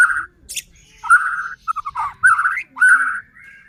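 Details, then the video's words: Caged white-rumped shama whose song is used to incite other shamas; rich whistled phrases with clipped staccato notes between them and a final thin rising whistle. "Murai batu gacor AMPUH buat PANCINGAN murai batu agar bunyi JADIKAN burung murai EMOSI"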